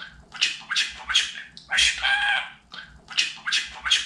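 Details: Talking pet budgerigar, a household mimic taught Turkish phrases like "Babacık" and "Cici kuş". Rapid, scratchy, syllable-like bursts in quick rhythmic runs, with one longer, richer buzzy phrase in the middle, over a soft background hum.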